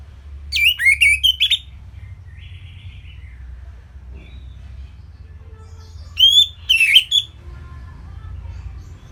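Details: Orange-headed thrush giving a simple song for songbirds to imitate: two short bursts of sharp whistled slurs and chirps, about six seconds apart, with faint soft twittering between them and quiet low hum behind.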